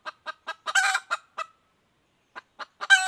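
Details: Female wild junglefowl, recorded in 2021, clucks several times around one loud, grating cackle, falls silent for about a second, then resumes clucking and ends on another harsh cackle note.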